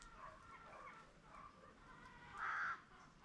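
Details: Peafowl on a farm with green and Spalding peacocks gives one loud, blaring nasal call late on, preceded by low, soft, wavering calls from nearby birds.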